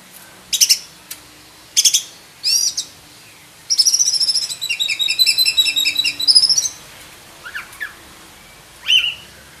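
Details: Kacer dada hitam, the black-breasted oriental magpie-robin, with full isian song: three loud sharp chirped phrases, then a long fast warbling stream of high whistles and trills, ending with scattered softer notes.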